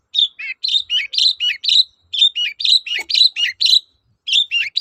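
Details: Long-tailed shrike in lively 'toet-toet' style song, used as a lure to prompt silent birds to sing again: rapid run of short high chirps, many paired with a lower dipping note, in quick bursts with brief pauses.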